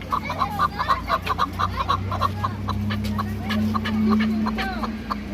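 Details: Hunting and fighting chukar partridge calling with a steady series of short, clipped chuck notes, about two a second, over a constant low mechanical hum.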